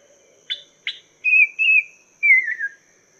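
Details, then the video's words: Chinese hwamei song used as master song for training cage songbirds: two short sharp chirps, then clear whistled notes that hold level and then glide downward, with quiet gaps between phrases. "Masteran Burung Poksay Mandarin"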